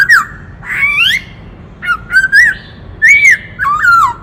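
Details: Many-voiced song of a white-cheeked laughingthrush, sung to rouse males: rising and swooping whistles interspersed with short sharp notes, phrases separated by brief pauses.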